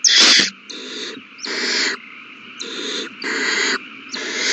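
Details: Owl babies being fed in the nest, 27 March 2020; one sharp loud hiss, then longer, drawn-out breathy hisses of nearly a second, with background hum.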